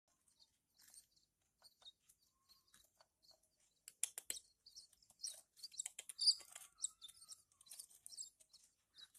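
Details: Hand-fed Horsfield's bush lark chicks: scattered faint high ticks at first, then a dense run of loud, sharp, hissy chirps packed closely together in the second half.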